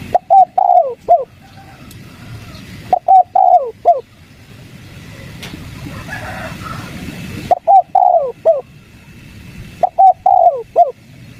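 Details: Wild spotted dove (Spilopelia chinensis) responding to a lure bird, cooing in short phrases of three to four soft, rounded notes, each ending with an emphasized coo, repeated about every three to four seconds.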